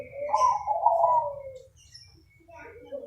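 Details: Crossbred zebra dove, praised for a soothing voice, giving mellow low coos in two bursts, a longer wavering phrase followed by shorter notes after a pause, with faint background rumble.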